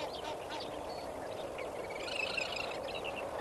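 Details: Lesser flamingos at Kamfers Dam at sunrise, 18 May 2024: a dense flock murmur of low, steady chatter, with nasal, honking calls layered on top, overlapping constantly with no clear rhythm.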